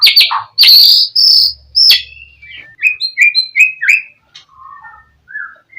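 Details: White-rumped shama song used to draw a rival's reply: loud high scratchy notes, then a series of clear whistled downslurs repeated about every third of a second, ending in soft lower warbles.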